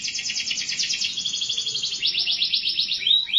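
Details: Singing canary delivering fast rolling trills, strings of quick repeated notes in steady runs, ending with a rising whistled slur; faint low background hum.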